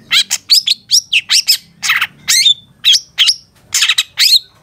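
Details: Long-tailed shrike singing a varied fill-in phrase sequence for training caged birds: loud, bright chirps and short slurred whistles, roughly one burst every half second.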